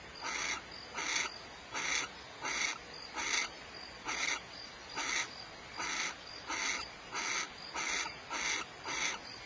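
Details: Short, harsh, wheezy barn owl bursts, recorded at Starr Ranch in California, follow one another at an even pace of just over one a second for nearly ten seconds, against a low constant hiss.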